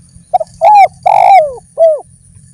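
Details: Short bout of zebra dove song: a quick stutter, then two longer falling coos and a final clipped note, clear and close.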